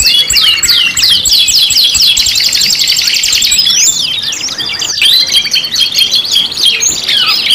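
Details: Five-in-one canary lure song: repeated swooping notes at the start, then a rapid, rattling trill, a short pause near five seconds, and further bright, warbling phrases.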